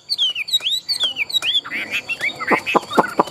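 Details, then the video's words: Tame, large-bodied Chinese hwamei, a strong competition singer: a quick run of clear, downward-slurred whistles repeated about every quarter second, then rougher, lower, choppy notes in the second half. "Họa mi thuần đét, Bộ to - Đấu hót rất tốt"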